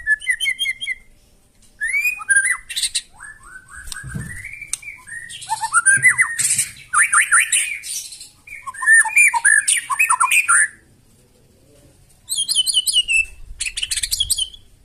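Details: White-rumped shama singing loudly and harshly, used to provoke other birds to answer: varied rapid phrases of whistles, rattling trills and harsh buzzy notes, in bursts separated by short pauses.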